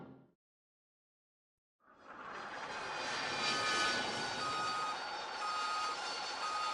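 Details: Brief silence, then the rising roar of an aircraft engine passing outdoors, no animal calls.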